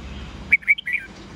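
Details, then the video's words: Red-whiskered bulbul singing a morning song in the 'old forest voice' style, meant for teaching young birds: a short burst of four or five bright, slurred whistles in quick succession over faint background hiss. "Luyện chào mào hót sáng GIỌNG GIÀ RỪNG âm 8-9-10 cực chuẩn"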